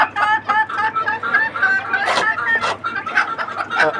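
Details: Flock of 29 native desi chickens on a farm raised for eggs, clucking steadily: rhythmic, nasal harmonic clucks repeated several times a second, with several birds overlapping and a steady low hum underneath.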